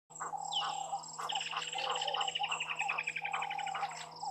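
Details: Water thick-knees at the Gowrie dam waterhole on Djuma Game Reserve, Sabi Sand, South Africa, at 18:42 on 01/12/2023, caught by a live camera: a long run of rapid piping notes that slowly falls in pitch, over lower repeated chirps and a steady hum.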